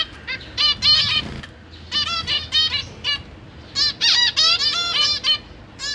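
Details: Captive zebra finch parents with three juveniles and three just-fledged chicks, recorded 12 September 2023 during feeding: nasal toy-trumpet beeps, roughly four per second in places, irregular, in two dense bouts separated by a brief lull.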